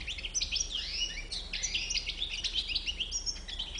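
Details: European goldfinch of the white-bibbed type, called 'à bouc blanc', sings a fast, dense twitter of high chirps and short trills with brief buzzy notes, steady and unbroken throughout, over a faint low hum.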